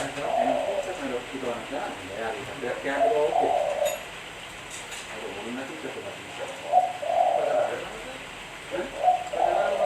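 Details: Spotted dove (tekukur) cooing, recorded for use as a lure. Soft, low, rounded coo phrases rise and fall, recurring about every three seconds, amid a busy, murmuring background of overlapping sounds.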